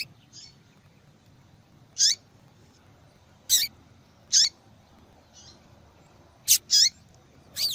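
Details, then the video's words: Calling female double-collared seedeater, the kind of female call used in breeders' contests and to warm up males into song; about seven brief, piercing, high downslurred notes, some faint and distant, two close together near the end. "Fêmea de Papa capim Chamando Muito para Esquentar papacapim"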